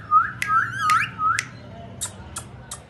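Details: Pet Indian ringneck parakeet talking and whistling: a clear mid-pitched wavering whistle with short rising and falling glides, broken by sharp clicks, then a few brief soft high taps.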